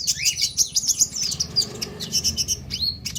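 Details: A lively konin sunbird song used to coax other sunbirds to sing. A fast run of sharp, high chirps and short rising and falling whistles is packed into a few seconds against a faint low rumble.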